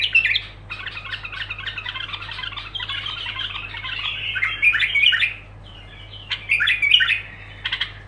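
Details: Bulbul singing continuously without a break: dense, chattering warbled phrases with squeaky notes, a brief pause near the middle, then scratchy bursts resume over a steady low electrical hum.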